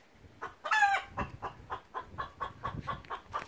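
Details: A garden rescue hen gives a hawk alarm, a sharp, strained squawk, then a rapid run of about eleven clipped, throaty clucks, roughly four a second. The threat was possibly only a pigeon or a balloon.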